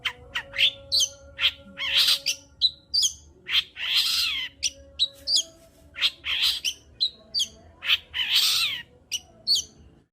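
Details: Long-tailed shrike in lively song, meant to excite a quiet shrike: a dense, varied mix of harsh screechy bursts and sharp whistled notes, alternating rapidly and continuously for ten seconds.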